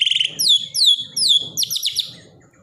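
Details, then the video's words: Borneo white-rumped shama, daily training song for caged shamas that have stopped singing: a few high, clear downslurred whistles repeated about every half second, ending in a quick sharp trilled burst over soft low background noise. "borneo dokter burung murai mandek (Masteran harian)"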